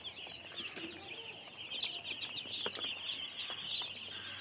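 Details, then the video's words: A flock of baby chicks fills the air with rapid, piercing peeps, a constant overlapping chatter that swells slightly toward the middle. "Baby Chicks Chirping Sounds"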